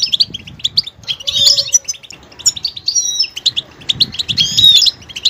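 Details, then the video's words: Goldfinch alternating fast high twitters with buzzy, complex phrases, with a short steady low tone early on and faint low sounds in the background. "motivational ringtones that will take you on a journey with goldfinch"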